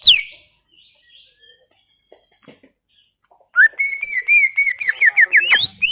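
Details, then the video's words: Greater green leafbird (cucak ijo) in full gacor song: near silence with faint high whistles at first, then loud rapid bursts of sharp chirps and rising whistled slurs, about three notes per second. "Full Gacor 40 menit CUCAK IJO"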